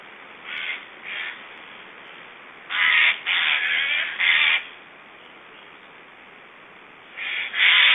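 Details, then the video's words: Estonian black storks making strange sounds while feeding, 1 July 2012: two soft rasping bursts, a pause, then a run of four loud harsh hissing rasps, and two more after a quiet gap. "Estonian Black Storks - Strange sounds and feeding"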